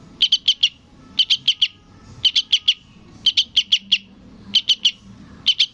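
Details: Fledgling yellow-vented bulbul begging for its parent, giving tight clusters of four high, clipped chirps that repeat steadily about once a second against a quiet, low background hum.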